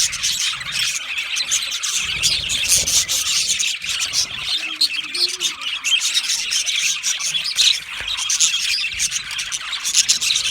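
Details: Insistent loud calling by a lonely budgerigar seeking contact or showing distress, rendered as a nonstop high twittering chatter with scratchy notes and occasional sharper chirps.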